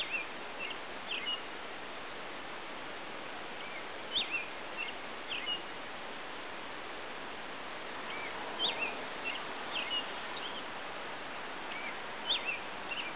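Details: Yellow finch at a hostel in Manchester Center, Vermont, giving short, high chirping calls in small clusters of two or three notes, spaced several seconds apart, over a steady faint hiss.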